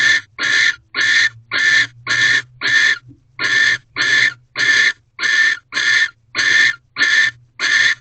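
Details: Wild barn owls mating in a nest box at Corral, 7:46 pm on 18 February 2023, male bringing a mouse; fourteen loud, harsh, hissing shrieks in a steady rhythm, almost two per second, over a faint low drone.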